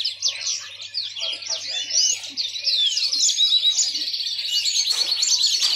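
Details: Lively yellow-fronted canary song of tumbling high chirps and whistled slurs that ends in a fast buzzy trill, with a quiet low hum behind.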